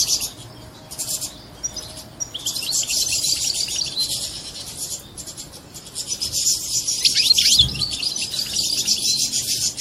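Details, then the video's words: European goldfinch mating song, after which the female assumes a mating posture; long stretches of dense, rapid high twittering with a few downward-sliding notes, growing louder toward the end. "بتبتة بعد سماعها تتخد الأنثى وضعية التزاوج+صوت التزاوج goldfinch chardonner hason"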